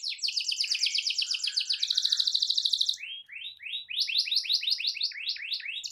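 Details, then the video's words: Canary in a long rolling song aimed at provoking rival canaries: a fast buzzing trill for three seconds, then a string of repeated upward-sweeping chirps, about three per second. "Kicau Kenari Gacor Efektif PANCING EMOSI Kenari lain Cepat ikut gacor Ngerol panjang"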